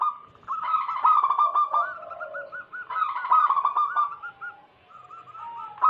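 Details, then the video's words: Wild local zebra dove singing, recorded as a lure for catching wild doves: rolling, bubbling coos in quick runs, two louder phrases with trilled pulses, ending in softer repeated notes. "Lokal Alam gacor pancingan pikat burung perkutut Paling ampuh."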